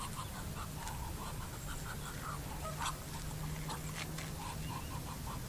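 Muscovy duck giving soft, quick, repeated low quacks, several per second, over a steady low rumble and background noise.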